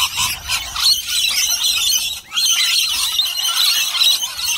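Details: A flock of lorikeets licking a bowl of nectar and honey mix keeps up shrill, continuous screeching and chattering, many harsh high calls overlapping with only a brief lull midway.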